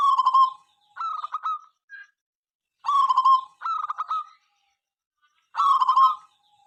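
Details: Zebra dove of a local strain in full song, a bird said to prompt rivals to answer; a soft cooing note followed by clipped staccato coos, two-part phrases coming in quick succession with short pauses.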